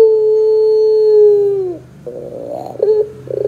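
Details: Lure recording of a ringneck dove singing pelung style, used to get other doves calling: one long, even, hollow coo held almost two seconds that drops at the end, followed by softer rolling, bubbling notes.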